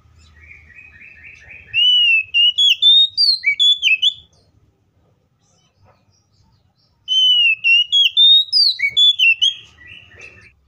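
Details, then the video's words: Fighting song of an Oriental magpie-robin, meant to stir rivals to sing: two long phrases opening with a fast run of repeated chipping notes, then loud looping whistles that rise and fall, with a low rumble beneath. "KACER GACOR FULL ISIAN MEWAH TARUNG NGEPLONG NGOTOT❗PALING AMPUH BUAT PANCINGAN KACER AGAR BUNYI!"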